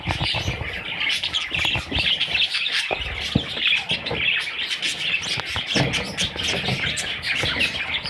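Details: Parrot babies chattering continuously in thin, raspy high chirps, with scattered clicks and light rustling throughout.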